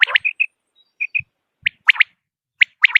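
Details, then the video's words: Common quail giving short whistled notes followed by crisp paired and tripled clipped calls, separated by brief silences. "quail sound effect.batair ki Awaz.common quail sound.صدای بلدرچین.صوت السمان ۔quail"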